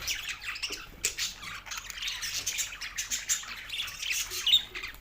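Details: Two male pet budgies chirping: dense, scratchy high chatter with quick squeaks and clicks running without pause, a busy warbling stream.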